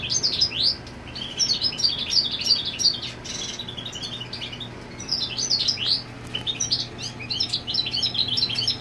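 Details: European goldfinch holding territory with a female on the nest, pouring out long bouts of high rapid twittering and chirps separated by short quieter pauses, faint steady hum throughout.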